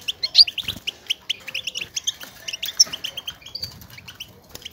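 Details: Goldfinch chatter meant to stimulate a caged male to sing and mate: dense run of quick high twittering notes and short buzzy chirps, rapid and irregular, with faint background rustle.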